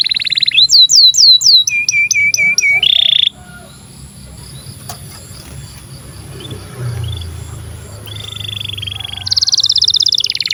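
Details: Canary singing a long song meant to teach young canaries and silent birds: looping whistled notes and a short trill open the passage, then a long quiet stretch, ending in a high buzzing roll.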